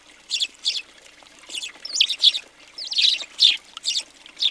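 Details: Numerous house sparrows at a feeder in Recke, Germany, in January 2020, chirping in quick succession, with a few rising, slurred notes woven among the sharp calls.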